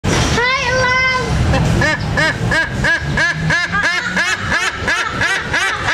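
A white-bellied sea eagle begs for food with a long nasal note, then honking, arched calls repeated about three times a second over a low rumble like traffic.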